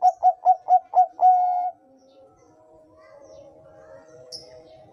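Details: Bangkok-style zebra dove song (perkutut bangkok): six quick, clipped coos, then a long held note, followed by a quiet stretch with faint background hum.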